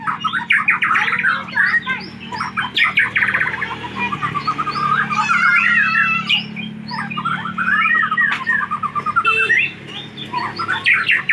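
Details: White-rumped shama (murai batu) from Aceh, Indonesia, recorded 24 December 2022: a loud, continuous, varied song of rich whistled phrases, fast trills and rapid chattering notes, with a steady low hum in the background.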